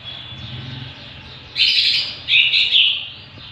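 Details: Greater green leafbird song for songbird training: two loud bursts of dense, bright chattering whistles after a faint thin whistle, over a low background hum.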